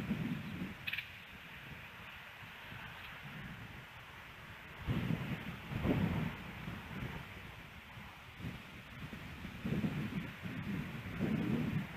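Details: Outdoor wind and low rumbling noise with rustling, with no clear animal voice standing out, only a brief faint high tick near the start.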